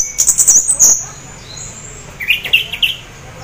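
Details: Half-breeding-condition orange-headed thrush song meant to lure others into singing: a rapid string of very high, thin whistles, then after a pause a lower run of warbled, rising-and-falling notes.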